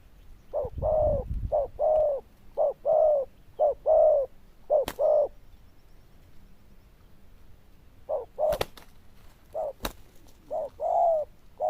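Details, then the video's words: Zebra dove, described as loud and bell-voiced with good cooing, giving rhythmic short-long coo pairs in two runs, with a few sharp clicks and knocks between. "Đồng Chuông Lớn Tiếng, Nước Gù khá Tốt"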